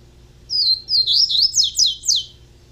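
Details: One phrase from a juvenile double-collared seedeater: an opening thin whistle, then a rolling series of five or six quick, downward-sweeping high notes, evenly spaced, with low hum beneath.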